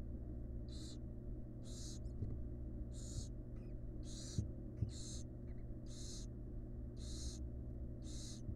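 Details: Wild barn owl mother resting next to her chicks in a research nest box; eight drawn-out breathy hisses come roughly every second, over constant low humming background.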